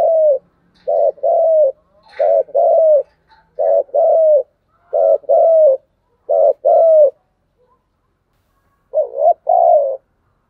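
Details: Spotted dove calling: repeated low coos around 600 in paired, slightly wavering notes, about nine bursts over ten seconds with short gaps, a few faint higher chirps between, otherwise quiet background.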